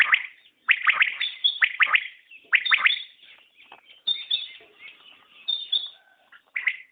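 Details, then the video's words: Common quail calling: rapid clipped notes in clusters of two or three, repeated about once a second, fading into softer scattered notes with a thin high whistle overhead. "Batair Ki Awaz | Common Quail Calling| Naye Batair Ki Awaz|New Recording Common Quail| Batair sounds"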